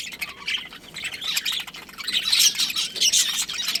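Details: Budgerigars in a breeding colony chattering continuously: dense, overlapping high chirps and scratchy warbles that swell louder toward the end, with no other clear sounds.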